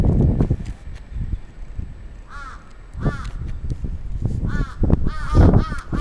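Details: Attacking crow recorded 27 June 2017 in Atsubetsu Ward, Sapporo, Japan, giving scattered rasping caws, single and in pairs, amid dull low thumps and background rumble.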